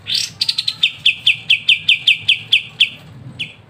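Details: Kapas tembak (pied triller) singing crisp ngebren master song for songbird training: a brief harsh burst, then a run of bright clipped notes roughly twice a second, ending with one late isolated note.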